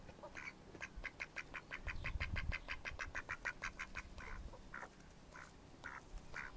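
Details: Mallards recorded in May 2014 deliver a long rapid run of short, evenly spaced quacks, followed by a few slower, longer quacks, with low rumble beneath.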